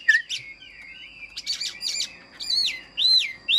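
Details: Caged Chinese hwamei singing: a couple of quick chirps, a soft trill, bursts of scratchy notes, then loud clear whistles arching up and down, spaced about half a second apart.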